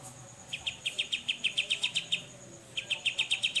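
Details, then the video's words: Grey-cheeked bulbul in 'besetan' style for tutoring songbirds: two runs of crisp, rapidly repeated chip notes, about four per second, split by a brief gap, with a constant thin high whine underneath. "BESETAN CUCAK JENGGOT buat Masteran Murai Batu"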